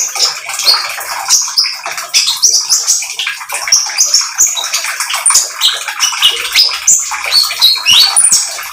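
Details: Continuous, busy song of an oriental magpie-robin mixes high chirps, short upslurred whistles and scratchy twitters at a steady, energetic pace. The song is played to provoke other birds into singing.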